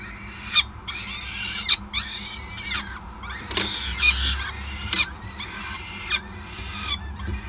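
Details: Peregrine falcon calls at a Groningen nest while feeding, 5 May 2020: harsh screeching bursts of one to two seconds, broken by pauses, with a few sharp clicks and a low rumble.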